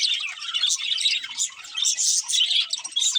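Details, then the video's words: Budgies chatter nonstop, a busy mix of high, buzzy chirps and quick warbling notes layered from several birds at once. "Cute Budgies Chirping Sounds"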